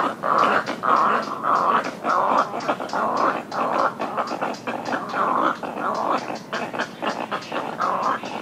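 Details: Little egret at close range in a colony giving alarm calls during a greeting ceremony: loud, hoarse, gargling croaks in rapid bursts, pulsing roughly every half second, with wing flapping and movement noise.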